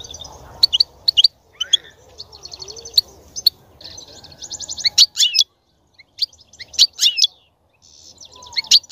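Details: European goldfinch song aimed at stimulating a female to mate and produce young: scattered high chirps and buzzy trilled runs, with a low background murmur and soft noise.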